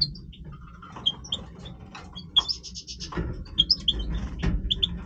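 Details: Breeding song of a Major European goldfinch: bright chirps and tweets, a quick buzzy trill, then clustered high tinkling notes, over a steady low-pitched hum.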